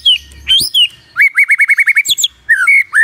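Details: Magpie-robin morning song used as a lure to prompt quiet birds to answer: varied whistled and squeaky notes, then a rapid run of about eight similar rising whistles, closing with slurred falling phrases.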